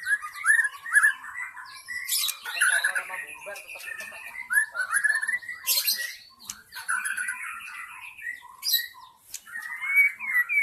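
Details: White-rumped shama from the forest, a lure sound for wild shamas: a long varied song of rich whistles and warbled phrases, broken by several loud harsh scratchy bursts, with sharp upslurred whistles at the end.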